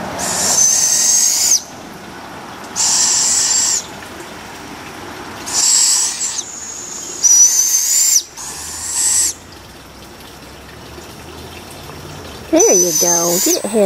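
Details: Young barred owls, four owlets in a humid yard at feeding time: a series of harsh hissing screeches, each about a second long, repeated every two to three seconds, with a person's voice at the end.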